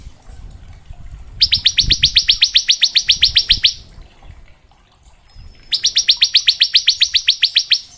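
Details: Bar-winged prinia in full, varied song used to tutor young prinias: two bursts of rapid, even, high buzzy trills, about fifteen notes a second, each lasting over a second, separated by a short pause.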